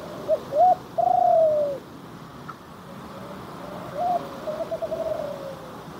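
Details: Spotted dove, one of three birds present, cooing in a low, mellow voice: short rising notes followed by a long drawn-out hollow coo that slowly falls, then a softer repeat of the phrase over steady background hiss.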